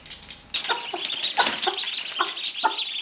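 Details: Cochin hen that hatched ducklings gives a series of short, high, squeaky calls, about five over three seconds; she developed this duck-like cry, changing her own voice, over a hissy background.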